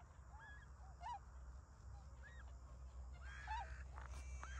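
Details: Tundra swans newly arrived in rice fields around Ochigata lagoon, Hakui, on 3 November 2022, calling vigorously as winter begins; a few clear arched, honking notes rise and fall at intervals over a steady low rumble.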